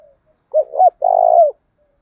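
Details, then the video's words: Spotted dove used as a lure bird, with a 'thổ đồng' voice, calling to provoke a fight. Two short, bending coos are followed by a long, buzzy, purring coo that falls slightly at the end. The background is quiet. "tiếng chim cu gáy mồi giọng thổ đồng, cu gáy thổ pha đồng thúc đấu"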